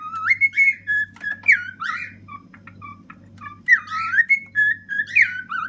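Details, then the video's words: Ten-year-old male cockatiel kept as a pet, singing on a refrigerator. Varied whistles swoop up and down between brief chirps, with a low humming drone throughout. "Silly happy bird can't stop singing on top of my fridge!"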